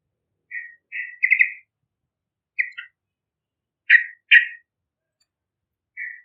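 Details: Yellow-vented bulbul, a young bakalan bird singing vigorously as a lure for other birds, gives bubbly paired whistles rolling into a chortled run, then spaced loud slurred notes and a soft closing phrase.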